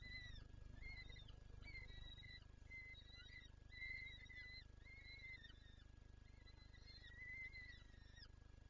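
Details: Peregrine falcon wanting to feed its chicks, Lublin, 23 April 2024: a long series of faint, thin, flat whining notes, each clipped off with a downward flick, run together with little pause above low background rumble.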